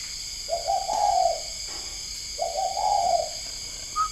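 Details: At 10 at night, captive spotted doves at a breeding farm near Ba Vì, Hanoi, Vietnam, give two soft, low, rolling coo phrases about two seconds apart, with a constant high whine in the background.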